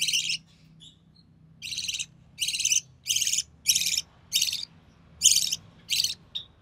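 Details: Recessive pied budgerigar chick from early June 2020, parents a white recessive pied male and albino red-eye female, at a feeding by the mother: a lone rasp, a pause, then a quick series of eight buzzy bursts.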